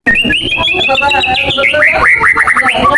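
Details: Caged white-rumped shama, a 14-month-old male in competition training, singing a rich run of whistled phrases that slide up and down, ending in rapid repeated rising notes.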